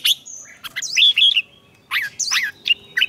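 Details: Red-whiskered bulbul singing competitively, for training: clear whistled phrases that wobble up and down, a thin steady high note, then sharp down-slurred chirps after a short pause.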